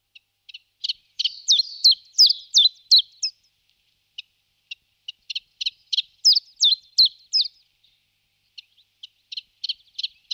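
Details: Common chiffchaff singing: bursts of sharp, downward-slurred high notes at about three per second, a dense run near the start and another mid-way, then scattered single notes with short pauses between phrases.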